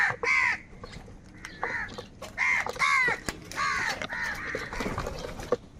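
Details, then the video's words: Several angry crows fighting over food, giving harsh, nasal caws in quick bursts of two or three, each call arched and ragged, with overlapping voices and short gaps between bursts. "Kaka sound and noises of crow birds | Crow bird Fight for Food | Angry kauwa ki awaaz"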